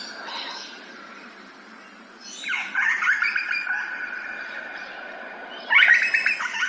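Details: Grey butcherbird song in Australia: a downward swoop into a long, rich, mellow piping phrase, then a brighter phrase after a short pause.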